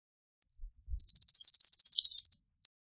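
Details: Rapid, buzzy chatter from an Eastern meadowlark, about twenty evenly spaced high pulses in a burst of under a second and a half, preceded by a faint low thump.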